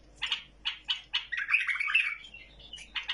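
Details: Tamed bulbul singing a series of short, bright chirped notes, then a longer warbled phrase in the middle, ending with more quick chirps.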